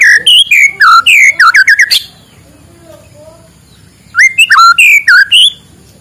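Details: White-rumped shama singing at morning, intended to stimulate lazy shamas: fast, sweet whistled phrases with dipping slurs, a two-second gap with faint low sounds, then another burst of fluty notes.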